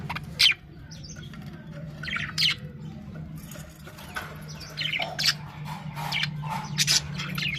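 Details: Budgerigars in a colony setup chirp and squawk in short, scratchy bursts over a steady low hum.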